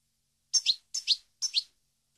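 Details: European goldfinch song recorded for training captive goldfinches: three bright, high double chirps, each a quick two-part twitter, spaced about half a second apart in an otherwise silent background.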